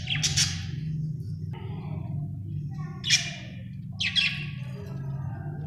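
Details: Happy budgie chirping: bright buzzy chirps at the start, then a paired burst near the end, linked by soft chattering warbles over a low hum.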